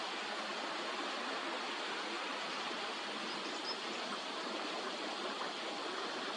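Steady, broadband rushing of flowing water fills the whole recording, with no animal calls standing out.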